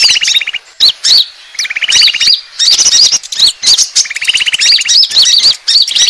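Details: Bird-attracting lure of Asian glossy starlings: rattling buzzy trills recur between bouts of high, twisting whistles and squeaks, the calls stopping and restarting in short bursts with small pauses.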